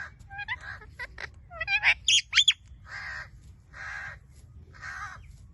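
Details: Blue-fronted amazon parrot mixing quick whistled chirps and loud sliding shrieks, then three evenly spaced harsh, raspy squawks about a second apart, over a faint low hum.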